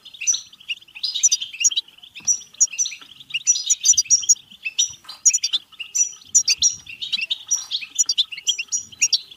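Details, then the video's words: European goldfinch singing, offered to prompt goldfinches to sing and breed: busy twittering of bright, bell-like notes in loose bursts about every two to three seconds, over a steady high buzzy undertone. "بتبتة حسون فعالة و رهيبة لتحفيز الحسون على التغريد و التزاوج و الهيجان"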